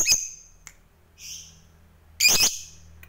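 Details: Shrill high squawk from a fighter lovebird meant to provoke rivals, then a softer buzzy note and a loud doubled harsh burst near the end, over a low steady background hum.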